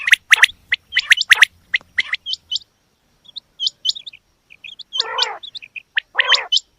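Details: Female quail calling: a burst of sharp, high chirps in quick clusters, then scattered hooked squeaks and two harsher buzzy, grating notes, with quiet gaps between.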